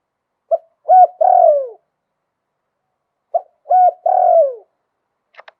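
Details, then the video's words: Liu tan style song of a spotted dove with a wild-type voice: two three-part phrases, each a brief pip, a short coo and a longer falling croo, followed by a faint click at the end. "หลิ่วตัน มงคล ขันโยนเพราะๆเสียงป่า"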